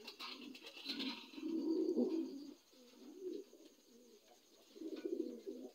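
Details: Dun Lahore pigeon, a newly adult domestic bird, giving low throaty coos in swelling bursts about two seconds long, with softer murmured cooing between them and a faint high hiss and light rustling behind.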